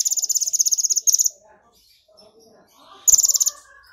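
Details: Excited brown-throated sunbird's song with mimicked golden grasshopper song: a long rapid pulsing buzzy trill, quiet soft twitters, then another sharp high trill of about half a second.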